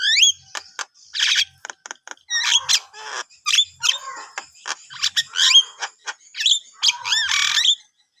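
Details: Morning song of a Javan myna: a varied run of squeaky whistles, downslurred notes, clicks and grating chatter, delivered in quick irregular phrases.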